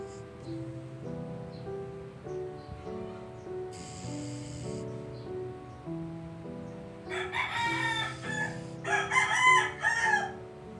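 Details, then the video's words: Rooster crowing twice near the end, loud strained harmonic calls that rise then fall, over steady background piano music. "Rooster Sounds"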